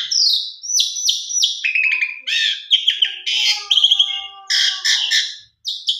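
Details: Asian pied starling (jalak suren), singing eagerly in a lure recording with a rich 'isian' repertoire: repeated high whistles, a buzzy trill, rattling harsh bursts and long low humming tones, then chattering notes and a short pause.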